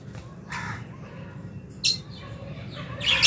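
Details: Lovebirds feeding in an aviary during January 2023, with albino, Fisher's and lutino varieties and a budgie; three sharp, harsh squawks, the last loudest, rise above a low background hum.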